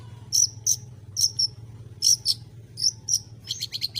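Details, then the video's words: Long-tailed shrike singing loud, piercing high doubled notes in pairs, roughly one pair each half second, ending in a fast trill of sharp chips. "Burung Cendet Bunyi Santuy!!!"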